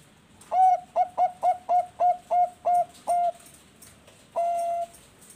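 Zebra dove cooing: eight quick, clipped, mellow notes at an even pace, then a pause and one long drawn-out coo. Faint high hiss behind.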